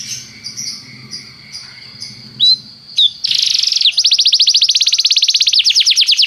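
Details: Canary song for training: soft, scattered high chirps and a few sharp notes over a low hum, then a loud, rapid, very regular trill of bright notes running to the end.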